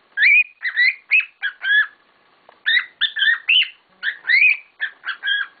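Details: Several pet cockatiels calling loudly: dense bursts of raspy, warbling chirps and short rising whistles in quick runs, with a brief pause halfway through.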